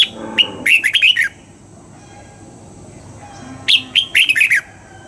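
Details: Red-whiskered bulbul in dawn song training, double-note wild-type song: two similar phrases about three seconds apart, each a burst of bright, slurred whistles sliding downward, with a faint low tone in the pause.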